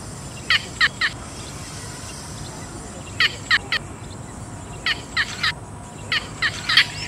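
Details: Yellow bittern calling in repeated bursts of three rapid, rasping notes, the groups coming every one to two seconds, with a constant hissing background throughout.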